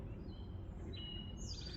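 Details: A Wood Thrush in spring, having just migrated into the area, sings a few thin, clear, flute-like notes, some steady and one rising. It is faint and distant over a low outdoor rumble on a still day between rainstorms.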